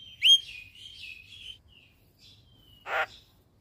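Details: Javan myna singing actively in the morning while nodding its head, a recording used to train caged birds: a sharp rising whistle, a wavering whistled phrase, then a short harsh burst near the end.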